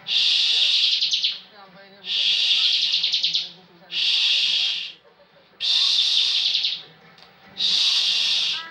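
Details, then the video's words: Bar-winged prinia, a caged competition bird that often wins national singing contests, in full ngebren style: five loud buzzy, rapidly pulsed bursts, each about a second long, repeated roughly every two seconds with short quiet gaps. "Ciblek ngebren full"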